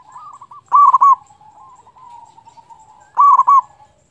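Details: Zebra dove of local stock singing as a lure for silent or stressed doves; two bold burry coo phrases about two and a half seconds apart, gentle cooing from other birds in between.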